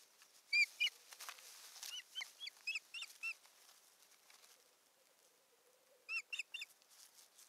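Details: On a Finnish nest camera in Satakunta, 7 May 2019, an Osprey at the nest, bringing a stick and fussing about, gives rapid, uneven series of high whistled yelps, loud at first, softer mid-clip, then a final burst.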